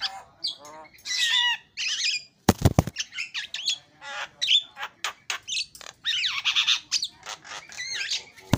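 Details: Loud Javan myna singing: a string of harsh squawks, grating chatter and squeaky whistled notes, broken by sharp knocking clicks.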